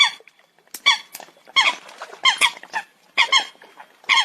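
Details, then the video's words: Coot calling with clusters of two or three quick, nasal, harmonic-rich notes, the groups separated by short silences. "Tiếng Chim sâm cầm"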